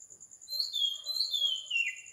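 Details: Oriental magpie-robin singing at 4 am in the morning in Sri Lanka: two long whistled phrases, each sliding smoothly downward from high to lower pitch, over a steady high pulsing buzz in the background.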